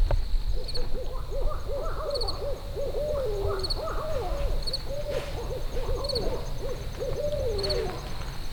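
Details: Two barred owls duel at a farm campsite during grape harvest, trading rapid, wild hoots and cackling notes back and forth without pause, over a steady chorus of insects chirping about twice a second.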